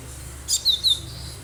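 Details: Wild cinereous tit in lively gacor voice, recorded for luring other birds: a brief high note, then two thin high whistles slurring downward, over a faint low hum.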